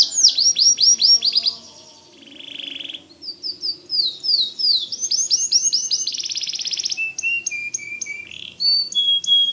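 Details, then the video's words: White canary in full, nonstop song, recorded as tutor material for training white-rumped shamas: fast rolling trills of high downslurred notes, a buzzy sustained rattle, then bright clipped whistles and sharp chips in quick succession. "Suara Kicau Kenari Putih Gacor Dor Cocok Buat Masteran Murai Batu"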